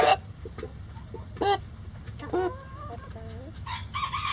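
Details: Backyard hens and a rooster relaxing and scratching in a rainy coop: a run of short, abrupt clucks and brief rising notes, irregularly spaced, over constant light rain hiss.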